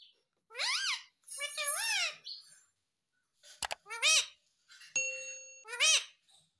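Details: Pet rose-ringed parakeet talking indoors, trying to say "mummy papa": several harmonic, arching syllables that sound like speech, in short bursts of two to three sounds separated by pauses, with a sharp click and a steady tone between them.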